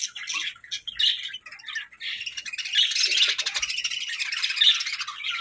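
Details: Pet parakeets start with a few separate chirps that build into rapid warbling chatter, bright and high-pitched with buzzy trills.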